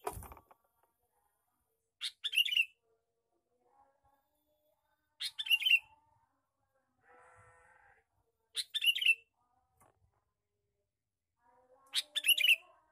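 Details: Male sooty-headed bulbul giving a lure call: four short, bubbly, chattering phrases of rising and falling notes, repeated about every three seconds, with a faint hum between phrases.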